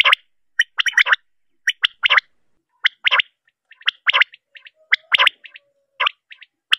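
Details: Calls of a female common quail: clustered, scratchy chirping notes in bursts repeated roughly once a second at an uneven pace, plus one thin drawn-out whistle.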